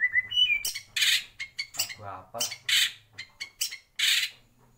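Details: White-rumped shama in a breeding aviary giving brief whistles mixed with loud buzzy, harsh bursts in an uneven sequence, with a faint low murmur in the background.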